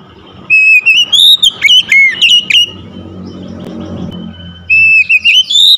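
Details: Home-kept Oriental magpie-robin giving rich whistled phrases with quick rising and falling slurs, a quieter gap with low rumbling background noise, then another bright whistled burst.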